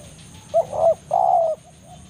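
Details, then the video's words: Single banggo phrase from a spotted dove calling a rival in forest: a brief coo, a fuller double coo, then a long level-to-falling mellow coo, low and husky, over soft constant background noise. "cara pikat BANGGO full memanggil lawan di hutan"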